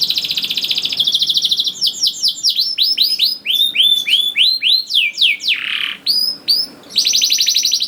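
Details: Rolling canary song played to draw young canaries into song: an opening fast trill, a long series of sweeping whistled notes, one deep falling swoop, and a final rapid trill.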